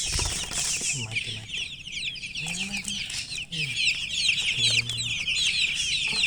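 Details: Several chicks chirping together: a dense chorus of high, rapid, overlapping peeping notes, with a few low clucks from an adult hen underneath.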